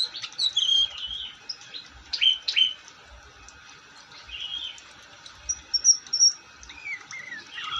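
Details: Long-tailed shrike singing vigorously: scattered squeaky slurred notes and short high whistled trills with gaps between, over faint low thumps.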